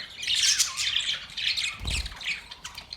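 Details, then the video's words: Australian parrots giving a dense run of high, scratchy squawks and chirps, several birds overlapping, with a brief low thud near the two-second mark. "Australian parrot Beautiful birds chirping sounds"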